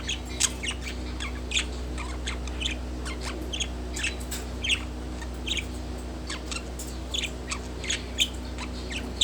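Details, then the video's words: Budgerigar kept as a pet, relaxing on a wooden perch, chatters in quick, high, scratchy chirps and short warbles scattered through the whole stretch, over a constant low electrical hum. "Relaxing Budgie On Wooden Perch With Cute Sounds"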